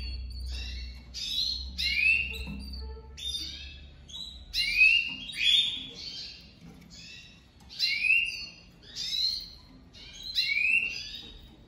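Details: Domestic canary, a newly paired couple for 2023 breeding, with the female crouching for the male on their first day together; short bright chirpy bursts with rising whistled slurs repeat roughly every second, separated by brief quiet gaps.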